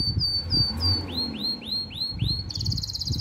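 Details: Canary in breeding mood calling a female, giving a row of looping, down-curving whistles about four per second, then switching to a quick shimmering trill, with low background rumble.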